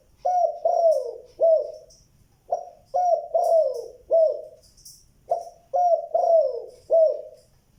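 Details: Spotted dove calling, a phrase in the local style described as a good 'giọng đồng', two-note with a cut-off ending. Low mellow coos come in phrases of four notes, each phrase pausing about a second, with faint thin high whistles behind.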